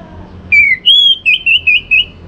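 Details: Song of an orange-headed thrush, used to stimulate caged birds to sing at morning time: a falling whistle, a long clear sustained whistle, then four short warbled notes repeated evenly.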